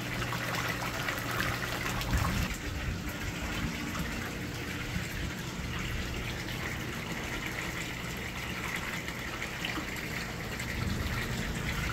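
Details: Steady rushing, gushing water like a filling tap or pump, with a low hum and no animal calls.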